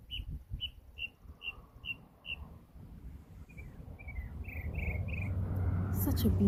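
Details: Bird in yard trees in the country repeats a clear, high whistled note about six times at an even pace, then gives a few quicker, slightly lower slurred notes over a low rumble.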